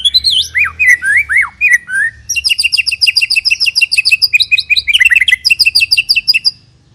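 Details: A white-rumped shama sings, used as a lure to get other shamas singing: loud, high, varied phrases, first swooping whistles, then long rapid runs of sharp repeated notes, at full volume for over six seconds.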